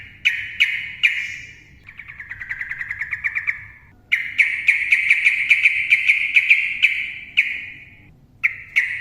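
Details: Yellow-vented bulbul pouring out a continuous ropel song meant to set silent trucukan singing. A few sharp notes lead into long, fast trills of bright pulsed chirps, one lasting over three seconds.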